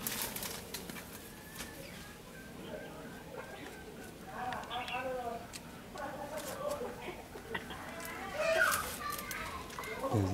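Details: A red-whiskered bulbul in Vietnam, recorded during a bulbul trapping and song-duel session on the 3rd day of the 1st month of 2016, gives short, liquid, whistled rising-and-falling phrases every couple of seconds, with people talking and background noise.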